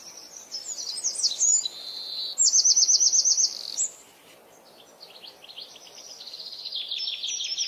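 A saffron finch sings high, sharp chips and quick trilled runs, with a fast buzzy rattle in the middle and a softer trilling phrase at the end.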